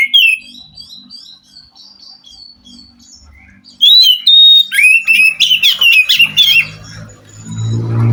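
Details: Forest Oriental magpie-robin singing to prompt a captive bird that refuses to sing: soft high whistled twitters, then loud varied whistles and scratchy rising notes, with low rumbling noise near the end.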